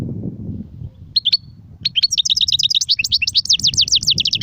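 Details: European goldfinch song in Sarfati, Gzrati and Sersir styles: a couple of brief high chirps, then a rush of fast, repeated, swooping twittered notes over low background rumble.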